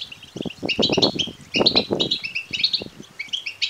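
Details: European goldfinch chicks begging, offered to stimulate males to sing and to mate: dense, rapid high chirps and twitters in overlapping bursts, with rough fluttering noise pulses beneath throughout.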